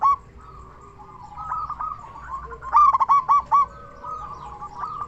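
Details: Strong-voiced local zebra dove used as a lure for other zebra doves, starting with gentle rolling coos, then a loud burst of five rapid bright notes, then trailing softer coos; a faint lower coo joins.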